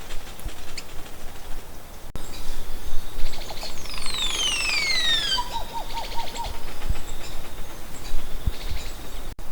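Crested Oropendola: a bright whistled slide sweeping steeply downward, then a quick run of low, liquid popping notes. A steady low rumble runs underneath.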